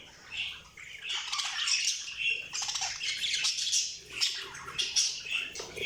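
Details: Budgerigar chatter fills the whole stretch, a continuous busy warble of high squeaky chirps, rasping notes and quick whistles that rise and fall in waves of loudness.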